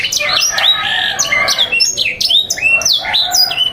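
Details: Canary song used as a training recording to teach young canaries to sing and to coax silent or moulting birds into song: loud, rapid sweeping whistles and trills sliding down repeatedly, filling the recording without pause.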